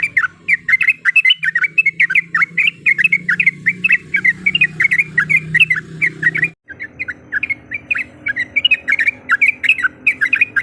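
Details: Yellow-vented bulbul female in breeding condition summoning a male as a rival provocation: a long, dense stream of bubbly, warbled chirps with a brief gap near the middle.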